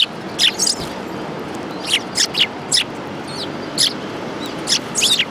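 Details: Sparrows gathering at food at a Tenmangu shrine, January 2018; scattered short chirps, some doubled, spaced irregularly over a noisy outdoor background.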